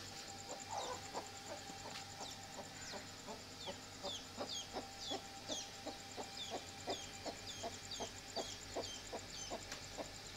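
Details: A Golden Heavy Buff chicken clucks in low, soft pulses roughly every half second, with higher, thin peeps and a steady high-pitched whine in the background.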